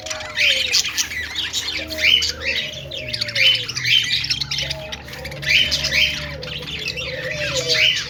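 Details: Happy budgie sounds from a small group: busy, squawky chattering and chirps run continuously, mixed with repeated drawn-out whistles that slide downward, returning roughly every second and a half.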